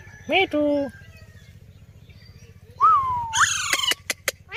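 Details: Rose-ringed parakeet talking, with mimicked speech-like phrases in sliding, nasal tones followed by sharp clicking notes, over a low steady hum.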